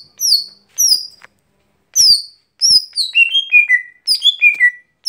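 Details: Lesser green leafbird (gotri) giving its everyday song: clear whistled notes, arched slurs at first, then descending series of three or four falling whistles repeated twice, quiet background.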